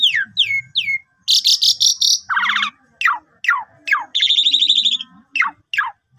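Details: Asian pied starling lure song with long pumping phrases: repeated sharp downslurred whistles, a dense harsh grating passage, a buzzy rattle and a trilled note between the falling whistles.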